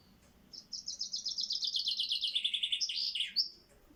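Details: A male Common Chaffinch sings a bright, rattling run of about twenty quick notes that tumble down the scale and end in a sharp flourish. A faint low hum sits underneath.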